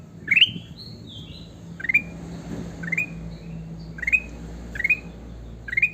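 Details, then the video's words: Sooty-headed bulbul singing energetically, with a longer opening whistle that drops in a slide, then five short rising whistled bursts spaced about a second apart. "burung kutilang emas gacor"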